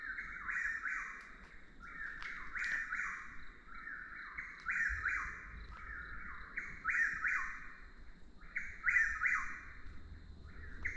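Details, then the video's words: Chuck-will's-widow, often mistaken for a Whip-poor-will but with a different call, repeats its rolling mid-pitched four-note chant nonstop, about one phrase every second or two, over a steady high insect drone; very vocal under certain light conditions. "Chuck-will's-widow | Commonly mis-identified as a Whip-poor-will | Bird Calls"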